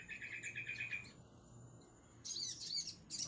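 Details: Ruby-cheeked sunbird singing: a buzzy, rapidly trilled high phrase, then a burst of very high, thin, shimmering twitters. Faint low background hum.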